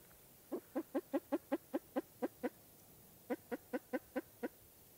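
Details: Spruce grouse giving two bursts of clipped, nasal clucking notes. The first burst has about ten notes at a brisk, steady pace. After a pause of roughly a second, a second burst of six follows. The setting is otherwise quiet.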